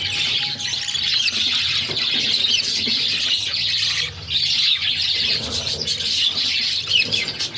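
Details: Six budgerigar chicks being fed by their mother, kept as pets; dense raspy, hissing chatter runs almost without pause, with louder squeaky bursts rising from the steady wash of begging.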